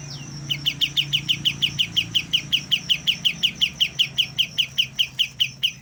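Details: Young white-eye in early song practice: a long, fast string of identical high chirps, close to three per second, ringing on without pause over a soft low rumble.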